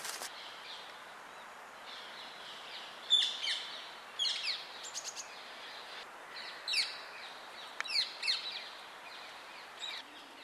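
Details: Rose-ringed parakeets give harsh, high screeching calls in short, scattered bursts, some doubled, over a steady hiss, heard while a tame red squirrel is being filmed.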